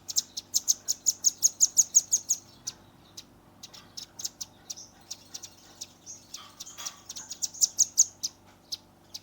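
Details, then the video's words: Young velvet-fronted nuthatch delivering 'tembakan' shots for tutoring birds, Redmi 10 recording: a long rapid chain of about fifteen shrill notes, a pause of scattered ticks and a rasp, then another quick ringing series. "RAMBATAN PARUH MERAH gacor nembak rapat"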